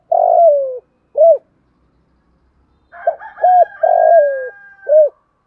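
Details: Urging coo of a spotted dove kept as a lure bird, thổ-voice style. A long falling coo and a short coo, then silence, then a full phrase of three coos. A higher steady tone sounds during the second phrase.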